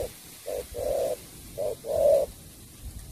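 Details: Spotted dove coos in the 'sắm bầu bạch đề' song style: two couplets, each a brief note followed by a longer, louder coo, in quiet surroundings.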